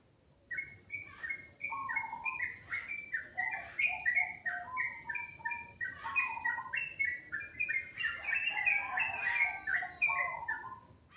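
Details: Bird singing in the morning, a lively continuous string of whistled notes hopping between two pitch levels, growing busier and overlapping near the end, with brief sharp chirps.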